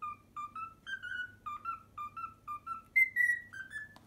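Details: A pet cockatiel renders the Pythagora Switch theme it has learned, rapid bouncy whistled notes in a brisk rhythm, ending on a higher drawn-out note that slides down.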